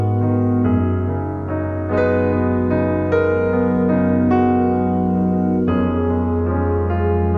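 Loud electric piano chords struck in a steady run over a deep sustained bass, with no animal calls.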